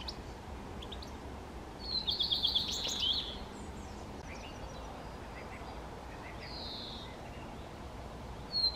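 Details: Common redstart song: a loud, fast phrase of high, trilling, chattering notes lasting just over a second, then quieter scattered high notes. A separate drawn-out high whistle comes later over a steady low background rumble.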